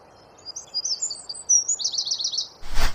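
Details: Wren song recorded as masteran training material for songbirds, in the tight rapid-fire style called tembakan rapat: high thin notes, then a fast run of buzzy repeated strokes, ending in a brief low thump.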